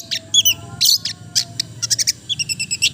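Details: Long-tailed shrike in melodious song: short scratchy bursts and sharp high notes, ending in a quick run of evenly spaced chips.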